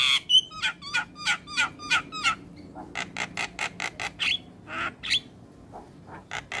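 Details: Javan pied starling song used as a training recording for other starlings: a rapid series of sharp, squeaky notes repeated about three per second, then a run of harsh rasping bursts and a few whistled notes.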